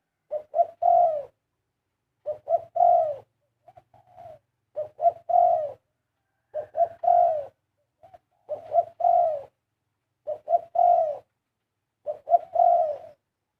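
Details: Zebra dove steadily pouring out its 'karam' song, about seven phrases, each two short notes then a long purring coo, spaced around every two seconds, with a few soft separate notes between; quiet surroundings.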